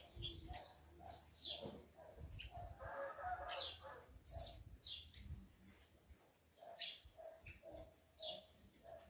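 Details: Several rufous-collared sparrows on a farm, males with females and two males squaring up to fight one, give bright high chirps and short slurred whistles at an uneven pace, with bursts of wing flutter and low rumble.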